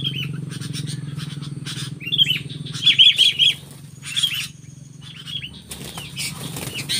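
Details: Sooty-headed bulbul facing a wild bulbul: short, bright, slurred whistled notes, some curving downward, given in bursts, with one quick cluster of three or four notes; a steady low hum and rustling run underneath.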